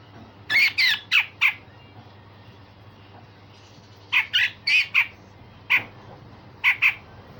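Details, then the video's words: Grey-cheeked bulbul in full song, with rough 'besetan' and sharp 'tembakan' phrases: clusters of three or four loud grating notes, a pause, then more harsh bursts and a closing double note. "Cucak jenggot Besetan Kasar dan Tembakan Tajam"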